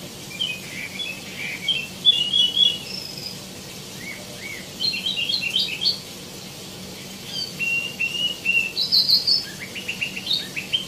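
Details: Singing tieumi, known as wambi mini, delivers varied bursts of high chirps and twittering phrases with short gaps between them, including quick whistled trills and faint softer notes in between.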